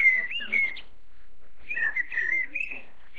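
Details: Chinese blackbird chicks being fed give two bursts of thin, high, wavering whistled begging calls, each under a second, with a quiet pause between; Chinese blackbird.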